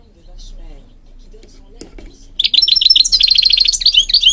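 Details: Goldfinch from Morocco singing, used for training birds: after two quiet seconds of low room murmur and a click, a fast high twittering phrase of bright, liquid repeated notes runs to the end.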